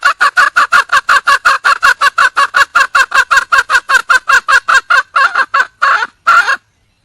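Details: Female wild junglefowl calling for a male: rapid nasal clucks, close to thirty in a row, then slowing into a few longer, looser notes before it stops.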